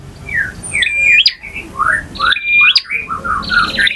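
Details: Male bar-winged prinia with varied song in ngotot, ngalun, variasi and kristal styles: soft downslurred chirps lead into a level whistle with a rising flick and a buzzy trill, repeating about every 1.5 seconds.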